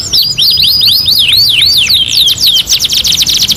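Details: Canary singing a fast, loud song of repeated sweeping whistled notes, curving slurs that fall then rise, speeding into a rapid buzzy trill near the end.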